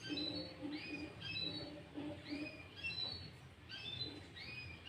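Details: Lure song of a sooty-headed bulbul, mixed with greater green leafbird phrases: repeated arched whistled notes in pairs and triplets, fairly even in pitch, with a low knocking rhythm in the background.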